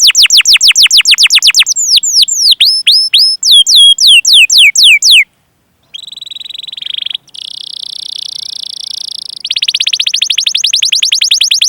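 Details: Chirpy, rolling canary song meant as a master to lure and train young, untrained or silent canaries: quick runs of downslurred notes, then sharp upswept chirps, a brief pause, and long buzzy trills to the end.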